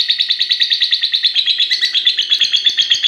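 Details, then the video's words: Caged 'fighter' lovebird, six and a half months old, kept for singing competitions and noted for songs lasting over a minute. A steady chattering trill of rapid, evenly pulsed high notes runs unbroken throughout. "Love bird paud fighter durasi mewah 1menit up"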